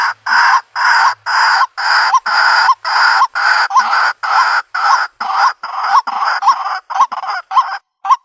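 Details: White-breasted waterhen calls played in the country to lure birds into a trap: harsh, broad croaking notes repeated about twice a second, each ending in a short hooked tone, growing slightly quicker toward the end.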